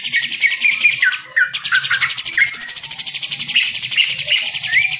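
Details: Green leafbird kept as a hobby bird in Indonesia, singing a fast chattering trill mixed with whistled notes over a faint low background hum.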